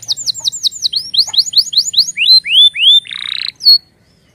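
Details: Rapid canary warning sounds, opening with quick falling chirps, moving to rising whistled slurs, a short rough buzz, and one last sharp whistle before silence.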